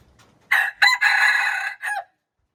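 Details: Junglefowl recorded March 19, 2025, giving a loud crow: a harsh, broad opening note, a short break, then a long sustained strained phrase ending in a brief falling tail, all in about one and a half seconds, with a quiet background.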